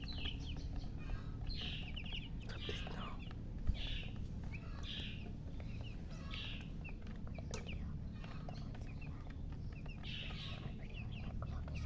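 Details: Young chickens of coloured poultry chicks, described as chirping from thirst for water: quick high peeps in clusters every second or so, above a constant low droning background.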